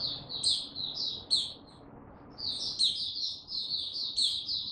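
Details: White-eye male gaining confidence, 6 March 2022: two short high chirping bursts, a silent pause of about a second, then a longer lively warble of shrill twitters and squeaks.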